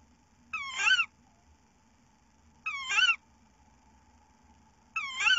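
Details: Female tawny owl receiving a mouse, 15 April 2018: three harsh, nasal, squealing calls rich in overtones, each about half a second long and about two and a half seconds apart, over a faint steady hum.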